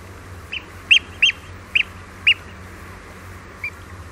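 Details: Eurasian oystercatcher giving alarm calls at Walney Island: four or five loud, shrill piping notes spaced about half a second apart, then one faint note, against lapping water and steady hiss.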